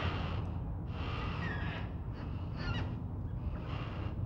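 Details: Black cockatoos heard at Nerrina, Victoria, 1999: wheezy, grating bursts repeat at an even pace, with a couple of sharper squeals among them, above a low background drone.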